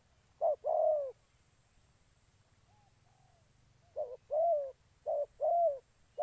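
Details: Spotted dove decoy during trapping, Gia Lai, Vietnam: two loud coos, a near-silent gap of three seconds with faint distant coos, then further short-long coo pairs.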